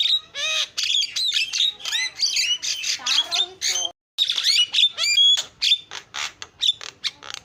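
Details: Javan myna in a dense, chattering song: rapid mix of harsh squawks and sharp upslurred whistles, with a short buzzy trill in the middle and a brief pause near four seconds, then more whistled and scratchy notes.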